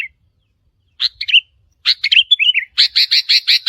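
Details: Wild sooty-headed bulbul calls meant to provoke territory holders. Two short chattering phrases of warbled notes give way to a fast, evenly spaced series of harsh, buzzy chirps at the end.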